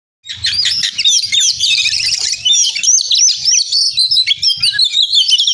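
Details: Oriental magpie-robin in full, lively song, used as a master or lure to prompt silent or young magpie-robins to sing: a dense, continuous run of high whistled and chattering notes, rapidly varied, with sweeping slurs and trills and no pauses.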